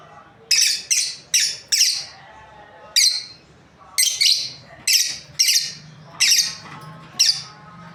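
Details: Shrill high chirps from a lovebird breeding pair, around sixteen squeaky notes in rapid runs and doublets, with a low faint hum underneath.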